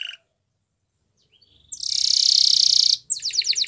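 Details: After a brief note and a pause, a canary bursts into an intense, dense buzzing trill lasting over a second, then rapid pulsed notes; faint low hum behind.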